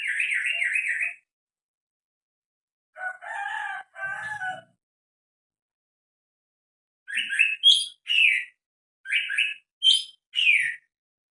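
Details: Odd calls from a greater green leafbird: a quivering warbled trill, two harsh grating bursts, then a string of quick rising and dropping whistled chirps in short separate phrases.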